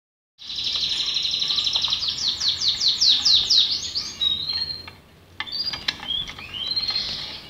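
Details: Belgian canary singing: a bright high phrase opening with a buzzy run, then a fast series of sweeping rolled notes, a brief pause, and a few clear whistled notes with scattered chirps.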